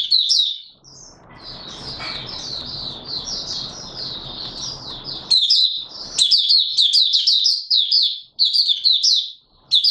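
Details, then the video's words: Oriental white-eye in open singing, 24 March 2022: near-continuous high twittering warble over a hissing background, then loud chirpy bursts of rapid slurred notes. "Mata Puteh Raja Video 1 buka sing"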